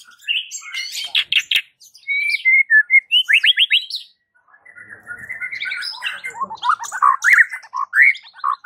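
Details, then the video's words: Varied song of a white-rumped shama, sung to provoke other shamas into answering: bursts of fast rattling notes, a row of slurred whistles, a short break, then rising chattering phrases mixing whistles and trills. "Suara uniknya jadikan MURAI BATU sekampung NYAUT GACOR dak MAU DIEM"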